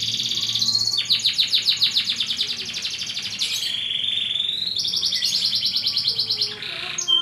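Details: Canary master song for training other canaries: a rising whistle, a tour of rapid repeated notes, a steady pure tone, then a fast buzzy trill, clear and loud.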